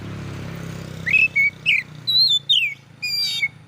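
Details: Oriental magpie-robin song used to provoke rivals: a few separate clear whistles, some rising, some falling, over a steady low hum.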